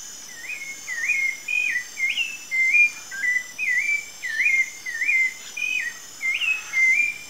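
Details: Wild Rufous-bellied thrush in Brazil delivering a long run of short whistled phrases, about a dozen in seven seconds, each swooping up then holding, some slurred down, with constant high cricket-like buzzing behind.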